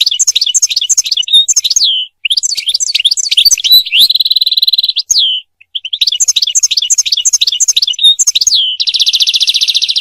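A European goldfinch sings a fast, liquid run of tinkling twitters and sharp high notes, broken by buzzy nasal trills, with no other sounds.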